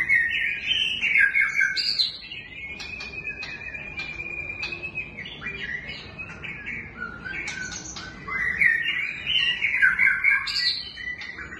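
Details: ['White-rumped shama singing varied, rich whistled phrases: a warbled opening, then a long sustained whistle, clicks, and a renewed burst of fluty notes.']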